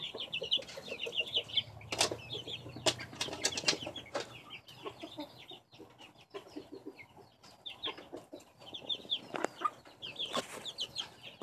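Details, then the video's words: Chicks in a backyard peeping together: many short, high, chirpy peeps overlapping in quick bursts, with sharp knocking clicks and rustling throughout. "Poj Qaib Chicks"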